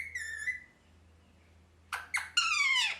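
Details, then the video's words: Pet parrot in a happy mood makes a level whistled note, falls silent, then bursts into three harsh descending squawks, the last long and loud; faint electrical hum throughout. "Parrot Chirping Sounds (Happy Voice)"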